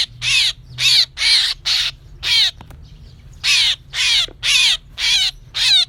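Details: Trapping-lure call of a myna, 2024: rasping, buzzy bursts with downward-slurred harmonics repeated about twice per second, with a pause of roughly a second midway before the series resumes, over a soft low background hum.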